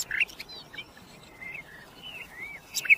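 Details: Common nightingale singing: soft, drawn-out slurred whistles near the middle of the range, some rising and falling, framed by brief sharper notes at start and end, over faint steady background hiss.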